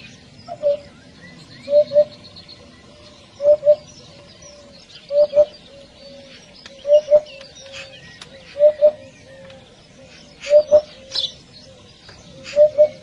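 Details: Eurasian hoopoe calling to its flock with soft, hollow, low 'oop-oop' pairs, repeated steadily about every one and a half to two seconds, with faint chirps of other birds behind.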